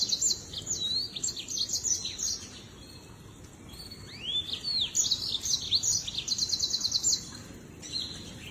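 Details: Lemon-breasted seedeater, a finch found in Malawi, Mozambique, South Africa, Zambia and Zimbabwe, giving quick high twittering phrases with swooping upslurred notes and a fast trilled run, then a short pause and a brief closing note.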